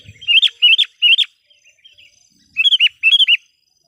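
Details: Sooty-headed bulbul used as a decoy bird, singing energetically to call wild bulbuls: short bubbly phrases of three or four quick, bright whistled notes, three phrases in a row, a pause, then two more.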